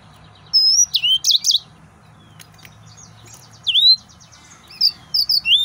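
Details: Short high whistled phrases from an excited male yellow-fronted canary, each a bright upslur or downslur with a brief twitter, given in three spaced bursts over quiet background hum.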